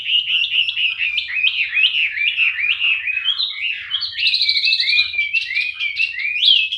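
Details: Loud, clear song of a male Chinese Hwamei, an imported songbird now captive-bred in Indonesia for singing contests. It strings together rich, rolling whistled phrases that rise and fall, with some higher ringing notes, over a faint low hum.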